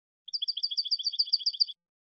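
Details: European goldfinch song: a rapid trill of about twelve bright, high notes, alternating between two pitches, lasting about one and a half seconds, on a silent background.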